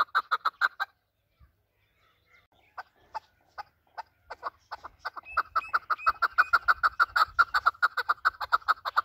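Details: Calling voice of a desi Afghani chakor, or chukar partridge, as used by hunters. A fast burst of clucks is followed by a pause and a few scattered notes, then the call builds into a steady rapid chuk-chuk-chuk chatter.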